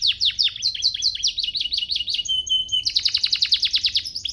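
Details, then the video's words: Master song of a canary, used to teach other canaries to sing: swooping repeated chirps, a brief level whistle, then a rapid, evenly pulsed high trill. "Masteran Mewah Spesial agar burung kenari cepat GACOR"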